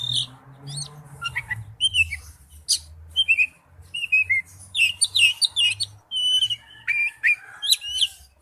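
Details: Oriental magpie-robin lure song prepared as a ringtone: a busy run of varied whistled notes, sharp chirps and short slurred phrases, mostly high-pitched, with a low steady hum underneath.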